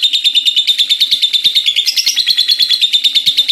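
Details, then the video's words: Energetic lovebird delivering a long, continuous shrill chatter, fast evenly spaced pulses at a high pitch, briefly rising higher midway before settling back to the same rapid rattling rhythm. "Love Bird gacor ngekeek panjang"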